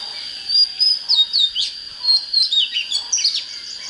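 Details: Oriental magpie-robin singing, used to fire up birds for fighting: a run of varied clear whistled notes and slurred upward and downward phrases, about three per second, over a steady high-pitched tone in the background.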